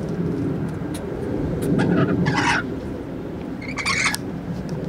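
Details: Several rainbow lorikeets splashing in water during hot weather beside a sixth-floor office: two rasping, noisy squawks, the second a longer grating burst, set against constant low city traffic noise.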